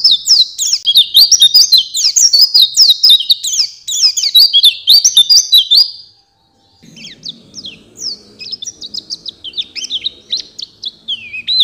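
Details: Oriental white-eye master song for songbird training, loud rapid chattering trills, a brief gap, then softer scattered twitters over a faint low hum.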